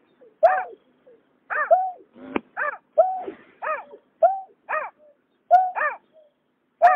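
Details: Greater painted-snipe, male and female, 2021: bright nasal call notes repeated irregularly over seven seconds, with a loud click and a brief rattling burst near the middle and soft short notes between.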